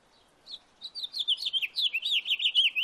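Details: In a backyard, a house finch sings a fast, jumbled warble, opening with a lone note, then a continuous chain of high twittering, swooping phrases that runs to the end.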